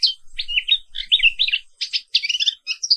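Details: A black-capped white-eye (Zosterops atricapilla) sings in the morning: a fast, high, chattering warble of squeaky twittered notes with brief pauses, with no other sounds.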